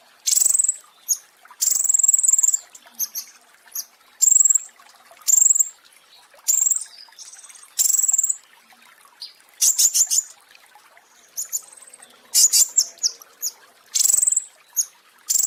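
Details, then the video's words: Original pentis raja song used to tutor cage birds, claimed to trigger mass breeding excitement: a steady series of shrill, high-pitched rattling bursts and sharp thin whistles, packed closely with brief pauses. "Masteran Pentis Raja ~ Musuh Langsung Birahi Masal (Suara Asli)"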